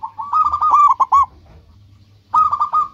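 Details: Zebra dove, local type, singing actively to lure other doves: a long phrase of rapid rolling coos ending in sharp clipped notes, then a second quick bubbling phrase after a short pause.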